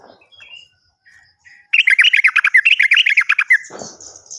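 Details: Lure recording of a yellow-vented bulbul to prompt silent or untrained birds into song: a few soft notes, then a dense, fast string of loud chirping, warbled notes for about two seconds, ending in a faint hiss.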